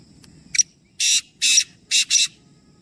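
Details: Black francolin call from a group of three birds: a brief sharp note, then four loud, rasping, buzzy notes spaced roughly half a second apart, over a steady low background hum.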